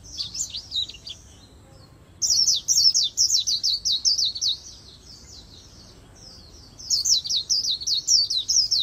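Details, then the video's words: Fast 'líu đấu' song of an Oriental white-eye, a training and stimulating recording in magpie-robin style; two long bursts of rapid, high, twittering downslurred notes separated by a short silence. "Luyện Giọng Vành Khuyên Líu Đấu Siêu Nhanh | Khuyên Líu Kích Bổi | Khuyên Líu Giọng Chòe Chuẩn"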